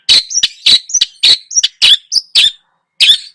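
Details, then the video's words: Energetic Long-tailed shrike singing a mimicry-filled lure song: rapid harsh scratchy notes alternating with short clear high whistles, a fast jerky sequence ending after a brief pause with one more rasp. "PANCINGAN !!! burung cendet gacor, full isian,..!!! DI JAMIN EMOSII."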